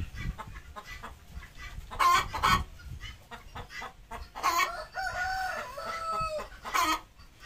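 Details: Desi hen, a native domestic chicken, around egg laying: loud harsh squawks, then a drawn-out wavering call lasting over a second, with other clucks and background noise.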